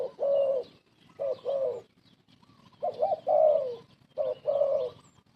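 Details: Old spotted dove used as a trapping lure calls steadily: low, throaty, bubbling coos in repeated two-part phrases, about one every second, with soft higher chirps of other birds faintly behind.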